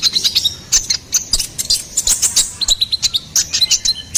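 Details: Ruby-cheeked sunbird song, used as a masteran and lure for songbirds: rapid, very high thin chirps and short whistled notes packed closely together, with sharp ticks scattered throughout and no other clear sounds.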